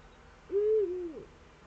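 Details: Eurasian eagle-owl, Eifel, early morning of 26 September 2013: a single pure, level hoot about half a second long, gently falling at its close, over a faint low hum.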